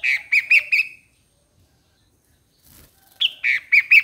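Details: Streak-eared Bulbul with two short phrases of four bright, clipped chirps each, separated by nearly two seconds of silence.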